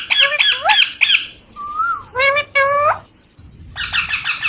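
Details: A baby rose-ringed (ringneck) parakeet, a talking pet, makes a run of harsh, squawky syllables, several rising and falling like mimicked speech, over a faint hum.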